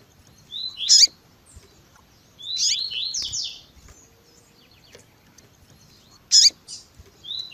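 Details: Double-collared seedeater, tui tui zel zel style, with female chirps meant to excite males: sharp high chips near one and six seconds, and between them a buzzy run of falling trilled notes.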